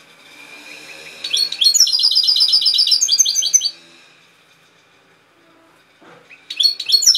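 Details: Goldfinch singing, Málaga Cobia recording: a soft lead-in, then a two-second run of high, rapid, metallic tinkling notes, a quiet pause, and a fresh twittering phrase starting at the end.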